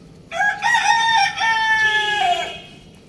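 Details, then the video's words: Young rooster crowing: one loud, strained, multi-part crow lasting about two seconds, rising at the start, holding a harmonic-rich tone, then sliding down at the end, against a quiet background. "Adorable Young Rooster Chirping Sounds"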